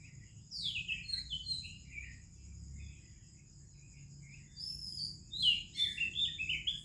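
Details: Indian morning birdsong attributed to an Oriental magpie-robin: scattered thin whistles and short chirps with long pauses, rising into a burst of bright warbled phrases at the end, while crickets buzz constantly in the background.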